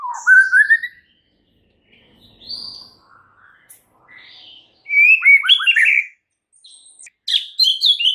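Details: White-rumped shama performing filler phrases to rouse a shama that will not sing: a rising whistle, quieter scattered notes, then loud warbled phrases and sharp high chips after short silences.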